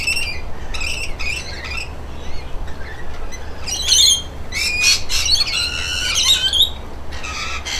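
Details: Rainbow lorikeets at a bath, the dominant pair having chased others off; sharp metallic screeches, spaced at first, then a louder tangled burst of overlapping shrill calls, low hum behind.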